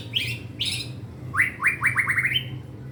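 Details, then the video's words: Young caged white-rumped shama: two scratchy chirps, then a fast series of rising whistled slurs quickening into a brief trill. "murai batu pastol belajar gacor bongkar materi!! isian ngeri bos"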